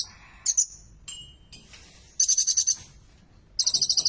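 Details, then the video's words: Olive-backed sunbird (kolibri ninja) in full, lively song with prominent bar-winged prinia (ciblek) phrases: brief high whistled notes, then fast buzzy trills of rapid pulses near the top of the range, each lasting about half a second, with gaps between. "KOLIBRI NINJA GACOR FULL MATERI SULTAN, TONJOLAN CIBLEK !"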